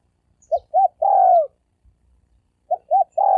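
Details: Spotted dove cooing in the sấm đồng style, used to attract both males and females: two quick short coos then a long, sustained, gently descending coo, and the pattern begins again after a pause.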